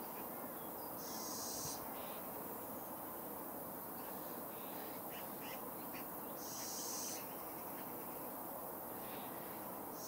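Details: Young Little Owl, a fledgling, repeating a harsh, high hissing screech roughly every five seconds, three calls in all, with faint softer notes between them against a constant low hum.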